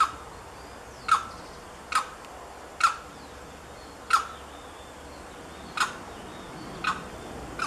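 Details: Limpkin (Carau) filmed at Lagunas de San Vicente Nature Reserve, Buenos Aires Province, Argentina, on 9 December 2017: a single bird giving loud, abrupt calls at irregular intervals of about one second, with a steady low background hum.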